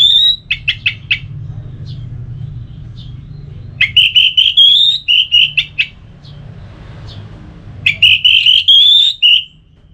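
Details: Ngeplong-style orange-headed thrush song meant to make another bird respond and sing: bursts of sharp clipped notes and rich whistled, warbling phrases, grouped into three loud bouts separated by quieter pauses, with low steady hum underneath.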